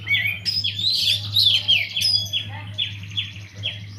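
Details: Caged white-rumped shama in full song within an aviary, suited as a lure for other birds: dense overlapping whistles and chattering phrases, bright high notes and quick falling sweeps, over a constant low hum.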